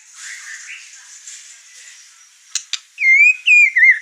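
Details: White-rumped shama in an over-excited state, agitating birds in the same house; a soft, faint warble, two sharp clicks, then loud, pure, rising whistles.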